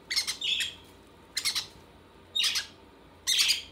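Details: Four loud, grating squawks from conure chicks at feeding time with their mother, each burst rough and buzzy and spaced roughly one second apart against near silence.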